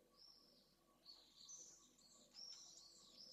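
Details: Pallid swift pair returning to nest 3 in Jerez de la Frontera late in the evening after the female laid her first egg overnight (2023), giving shrill, buzzy, wavering screaming trills in overlapping bursts over faint hiss.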